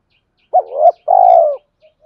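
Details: Single phrase from a male spotted dove cooing to provoke a fight and call a mate: a short rising hoot easing into a soft coo, then a long vibrating coo dropping at the end.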